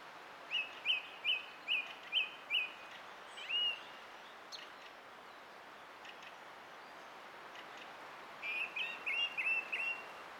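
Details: Song thrush song from 20 April 2016: five loud, identical sharp phrases repeated about every third of a second, a separate whistle, a pause, then another rapid string of five varied notes.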